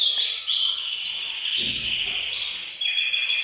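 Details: Several canaries singing as a group in a bird room to excite males into singing; sustained buzzy high trills with a brief pure whistle at the start and a fresh rolling phrase near the end.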